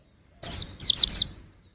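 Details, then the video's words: A young white-eye gives one high, falling chirp and then a quick pair of thin, descending notes. "suara burung pleci masih muda"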